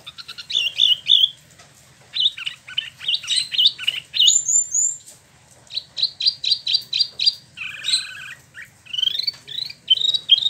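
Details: Imported Spot-throated Babbler kept in a cage in Bandung, West Java, pouring out a varied rolling song of quick chirps, high whistled slurs and buzzy chatter in irregular bursts with brief pauses.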